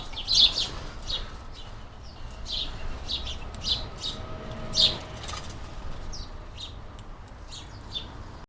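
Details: Many hungry house sparrows at a busy garden bird feeder in the UK give short, bright chirps in scattered bursts, several birds overlapping, over a steady low outdoor rumble.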